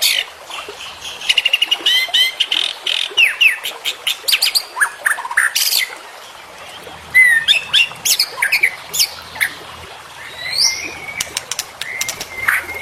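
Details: White-rumped shama singing as a training recording for songbirds, loud clear whistles and sharp sweeping notes in bursts separated by short pauses, with rattling chatter and a background hiss.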